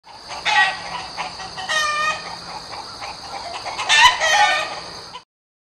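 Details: Chicken voicing loud, harsh clucks and drawn-out crowing bursts rich in layered tones, with peaks near the start, middle and end, over a constant background hiss before a sudden stop.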